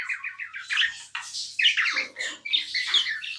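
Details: Continuous chattering from a tame pet budgerigar: rapid ticking chirps at the start, then buzzy, squeaky warbled phrases running together with hardly a break, in a quiet room.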